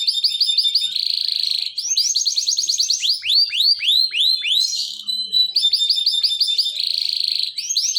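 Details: Canary song used to lure and stimulate other canaries to sing: a continuous, loud run of high whistled syllables, fast repeated trills and rows of downward-sweeping notes, changing pattern every second or so, with no other sounds.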